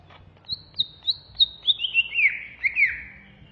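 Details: Banyuwangi cucak ijo (greater green leafbird) singing agitated ngentrok ngamuk: a string of high whistled notes repeated about twice a second, sliding lower toward the end into downward-swooping slurs.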